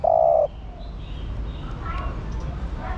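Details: Spotted dove, a female used to stimulate males into cooing: a single short, low, steady coo lasting about half a second, then quiet background hiss and faint distant sounds.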